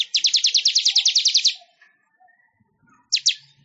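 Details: Weaver (manyar) singing as training material for songbirds: a quick rattling trill of regular scratchy notes for a second and a half, a pause, then two more harsh notes.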